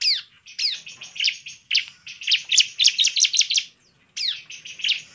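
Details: Bar-winged prinia lure song for goading other birds into singing: downslurred whistles, then a rapid chattering run of sharp high notes, a short silence, and more descending whistles.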